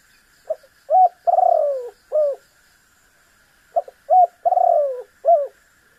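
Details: Spotted dove calling, meant to get a rival to respond. Two complete phrases: clipped double note, a clear coo, a long rolling falling coo and a final coo, with a gap of about two seconds between them.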